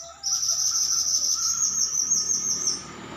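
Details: Pied bushchat song delivered as one long, rapid, high, buzzy trill of quickly pulsing notes lasting about two and a half seconds, then stopping; faint steady background tone and low hum.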